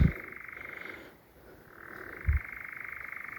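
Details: European nightjar churring very close on a May 14 night in Sherwood Forest: a dry, rapid mechanical trill that pauses briefly, shifts pitch slightly and resumes; two low thuds; a second bird calls very distantly.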